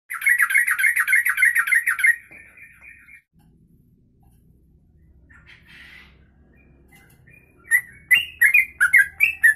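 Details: Yellow-vented bulbul (trucuk) singing a long 'ropelan' style song, meant as tutor material for other birds: a fast burst of chattering whistled notes, a quiet pause with low hum and a brief rustle, then more sharp notes.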